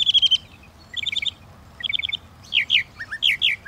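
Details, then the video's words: {'text': 'Northern mockingbird song in quick succession: a fast stuttering trill, two bursts of four or five quick chips, then louder slurred whistled notes in pairs.'} "The song of the Northern Mockingbird"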